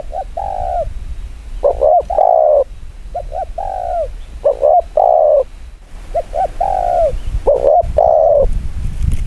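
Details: Spotted dove giving fast 'gù kích bổi' cooing: repeated pairs of low warm coos, some slightly falling, over a noisy, rumbling background.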